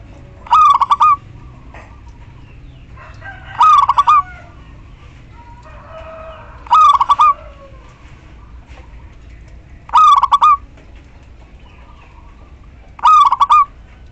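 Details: Five evenly spaced stuttering coo phrases from a female local zebra dove calling the male, about every three seconds, each a brisk string of pulsed notes; quieter chirps and calls from other birds fill some pauses.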